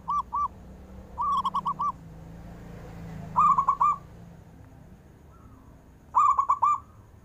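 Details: Local zebra dove, praised for long-breath singing meant to prompt lazy doves to sing: several short phrases of rolling, bubbling coo notes separated by pauses, with a low hum underneath.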